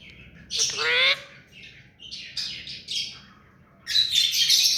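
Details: Tame ringneck parakeet: a harsh, rising squawk, then scratchy chattering notes and a final loud, grating outburst.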